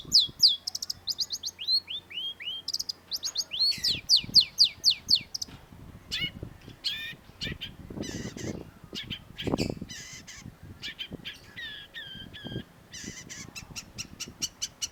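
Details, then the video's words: Long-tailed shrike (cendet) master recording for training cage birds: rapid rattling series of high hooked notes at about four per second, then mixed chirps and whistles, with a faint low hum early on. "cendet gacor MASTERAN CENDET SUARA TAJAM || Long-tailed Shrike"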